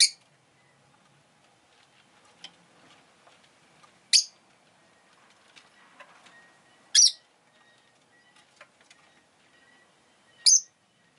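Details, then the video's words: Rosy-faced lovebird chirping: single sharp, high, piercing notes roughly every three seconds, with faint clicks and light background noise between calls. "Lovebird Chirping Sounds"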